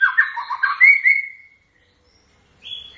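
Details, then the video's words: White-rumped shama song: a quick jumble of warbled notes sliding up into a clear level whistle, a pause, then a short high whistled note. "Kicauan khas Murai Batu"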